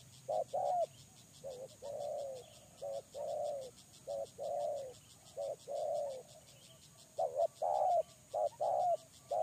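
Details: Spotted dove kept as a lure bird: soft, low cooing in short phrases of clipped notes and longer drawn-out coos, repeated irregularly over a steady high electrical hum.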